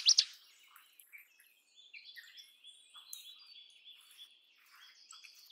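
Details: Indian robin (Copsychus fulicatus) singing short, high chirping and warbled phrases over a faint steady high hiss, opening with a loud sharp burst.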